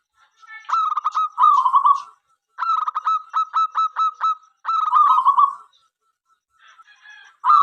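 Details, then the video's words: Singing local zebra dove, used to invite other doves to respond in song: three phrases alternate between rapid clipped note series and rolling purred trills, with brief silences between phrases. "perkutut lokal gacor suara MENGGODA apapun jenisnya 5 detik nyaut."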